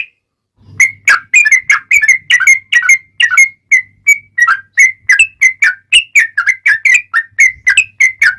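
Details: Energetic sooty-headed bulbul song used as a lure so other bulbuls respond: over eight seconds of continuous whistled notes, each swooping up or down, delivered about three per second, with a faint low hum beneath.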